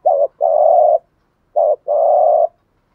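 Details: Spotted dove cooing in gù thúc style to stir wild doves: two phrases, each a short low note then a long steady buzzy coo, about 1.5 seconds apart.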